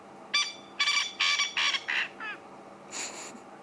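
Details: Male Coqui francolin at sunset repeating one part of his call instead of the koki phrase: six harsh, nasal notes that fade toward the end, then a softer buzzy note.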